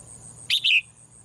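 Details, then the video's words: Morning song of a female bird kept in a cage: a single buzzy double chirp, clipped first note then a longer descending tone, against a faint high hum. "เสียงนกร้องเจี๊ยก ๆ ไพเราะมาก"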